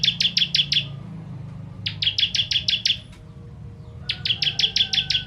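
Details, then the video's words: Ciblek kristal, or bar-winged prinia, in 'tembakan pedas' delivery used to tutor songbirds: three short bursts of five to seven sharp, rapid high chips each, separated by roughly one-second pauses holding faint thin tones. "Ciblek Kristal Tembakan Pedas"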